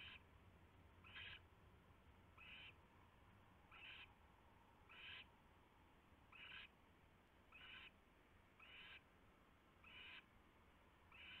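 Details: At night on a nest tray in early February 2016, an owl sat after landing beside its returning mate. It gives a steady series of nine harsh, breathy screeches, one roughly every 1.3 seconds, over faint low hum.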